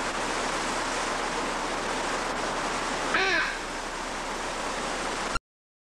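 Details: Single loud, harsh, grating squawk under half a second from a hyacinth macaw at Nashville Zoo, around 2000, against a steady roar of rushing water.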